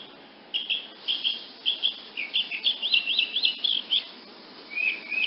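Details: Wood nymph hummingbird giving high, thin, jumbled chips and squeaky twitters in quick bursts, closing with a short rising buzzy phrase.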